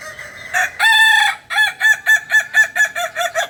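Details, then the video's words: Native Solok, West Sumatra kukuak balenggek chicken crowing: a short note, a held harmonic-rich tone, then about nine quick rhythmic stepped syllables in a steady chain. "Ayam kukuak balenggek ayam asli solok sumbar"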